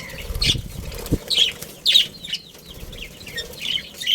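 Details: Budgerigar family giving short, sharp high chirps roughly every half second, some slurred and descending, over a low background of thumps and rustling from moving birds.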